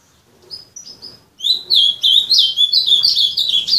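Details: Azulão, the ultramarine grosbeak, kept by an owner: a few hesitant high whistled notes, then a loud, rapid warbling run of sliding, buzzy-edged notes that carries to the end.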